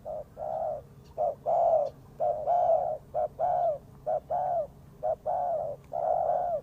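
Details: Trapping lure spotted dove calling in rapid succession: clipped short coos interleaved with longer arched, falling coos, a dense repeated rhythm with little pause.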